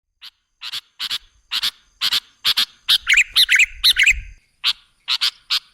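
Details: Sooty-headed bulbul song used as a lure to attract other birds: short bright chirping bursts repeated about twice a second, building into a run of bubbly, rolling notes midway, with a faint low rumble beneath.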